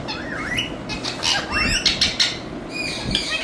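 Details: Talking Indian rose-ringed parakeet kept as a pet, giving looping warbled notes and bright, clipped chatter interrupted by clicking taps and soft patter, with faint room hum beneath.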